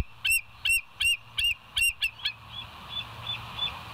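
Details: Bald eagle on a live nest cam at West End, 22 July 2023, 05:06, gives loud, high, squeaky piping notes in a rhythmic series, roughly three per second, fading into softer distant echoing notes.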